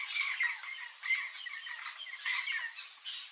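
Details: Yellow-faced parrot (Alipiopsitta xanthops) gives harsh, grating squawks in quick overlapping bursts, several each second, high and raspy throughout.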